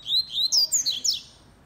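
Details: Double-collared seedeater, a kept male-style singer of the 'velocista' (fast) song type, delivering a rapid run of bright, sweet whistled notes, several short slurred phrases tumbling quickly up and down in high pitch, over quiet indoor background.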